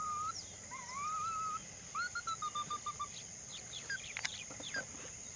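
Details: Ruddy-breasted crake calling a fast series of clipped notes that slide gently lower, preceded by rising whistled phrases from another bird, with sharp chirps and insect hiss toward the end.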